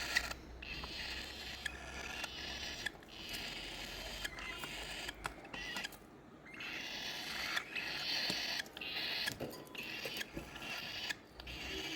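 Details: Only handling noise is heard: steady hiss, scrapes and sharp clicks, with no clear animal calls.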